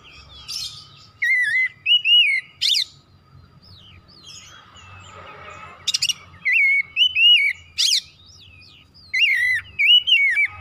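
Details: Oriental magpie-robin (kacer) pouring out its song: sequences of loud curling whistles broken by sharp, buzzy bursts, a short quieter pause mid-way, then more whistled phrases; faint steady hum throughout.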